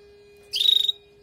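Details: One quick rattling trilled call from a female canary, used to prepare and stimulate a male after moulting, heard over a steady faint electrical hum.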